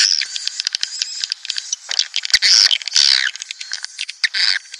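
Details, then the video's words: Swiftlets heard in a sound played to pull colonies into a nest house: rapid clicking at the start, then loud, buzzy, high chirps in short bursts. "SP Walet Klimax 2019"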